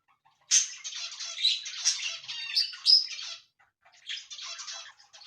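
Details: Pet cockatiels kept as ornamental birds, giving a dense run of harsh, raspy, buzzy squawks and chatter, then a short pause and a second, softer burst of scratchy calls.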